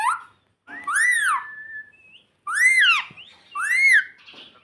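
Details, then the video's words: Pet parrot, said to be saying "mummy" indoors in a small room: three loud, harmonic, arched calls, each rising and falling, separated by short pauses, with a brief thin whistle between the first two. "Parrot Talking Mummy Mummy || Bolne Wala Tota || Talking Parrot 🦜 Mitthu Mitthu"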